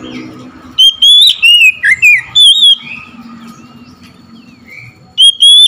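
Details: Oriental magpie-robin singing on hearing another magpie-robin: loud clear whistled phrases with sliding and falling notes in quick bursts, a pause with faint background noise, then a fresh whistled phrase.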